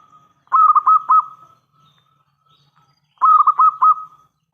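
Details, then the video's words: Zebra dove of a local strain, sung as a lure to prompt other doves to answer. Two identical phrases come about two and a half seconds apart, each a quick string of rolling, gurgling coos that fades into a sustained tone. "Perkutut lokal gacor suara besar pancingan paling ampuh untuk semua jenis burung perkutut"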